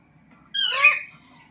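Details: Green parrot gives one short, harsh squawk with stacked bright harmonics, lasting about half a second, then falls quiet.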